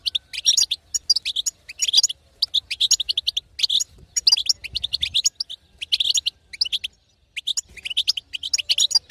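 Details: Long series of 'betbeta' twittering from a female European goldfinch, meant to make a silent male sing: repeated bursts of fast, tinkling notes with short gaps, one longer pause late on.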